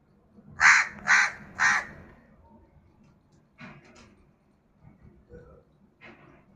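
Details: A crow gives three rapid harsh caws in quick succession, followed by softer, fainter rasping calls and scattered faint sounds against a low background rumble.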